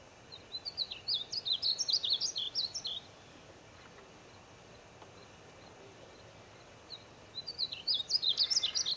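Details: Painted bunting singing in the Wichita Mountains, Oklahoma: a rapid, high, tinkling warble of jumbled sweet notes lasting about two and a half seconds, a pause of several seconds, then another bright warbled phrase beginning; faint background hiss.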